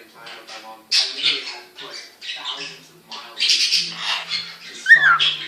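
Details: A 9-month-old male cockatiel sings to itself in a mirror: a rambling mix of raspy chatter, squawky notes and a bright sliding whistle.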